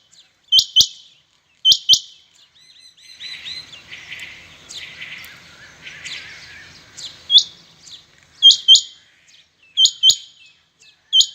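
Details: Rain quail calling in competition between birds, Pakistan-Urdu local name chingha batair: sharp high doubled notes in pairs repeated about every second, with softer overlapping chattering notes from other quails in the middle.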